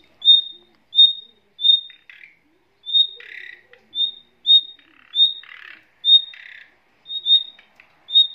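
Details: Nightingale family in a cage, parents with young: a repeated bright high whistle roughly every half second to second, interleaved with rough buzzy squawking bursts.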